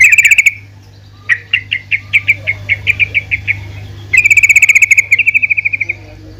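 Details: Female yellow-vented bulbul call meant to draw other bulbuls: bursts of rapid, bright chirping notes, a slower series of clipped notes in the middle, then another fast rattling run, over a low hum.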